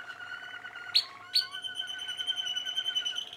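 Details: Young Malinois Waterslager canaries from 2016 singing: two sharp, bright high notes early on, then a long, steady, rolling warble of sustained harmonic tones with rapid bubbling pulses, over a constant low hum.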